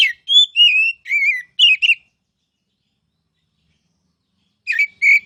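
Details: Oriental magpie-robin in the ngeplong singing style, a bird kept for song-training: a brisk run of varied whistles and slurred notes lasting two seconds, then silence, then two short whistled notes.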